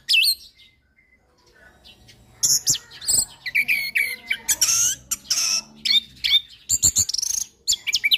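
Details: Orange-headed thrush song from a recording for training captive birds: a short high note, about a second of near silence, then a busy stream of chirps, slurred whistles and harsh rattles in quick succession.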